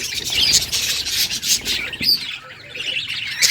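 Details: Budgerigar singing happily, heard as high, scratchy chatter with squeaky whistles and rasps, dropping slightly quieter in the second half before a final sharp squeak.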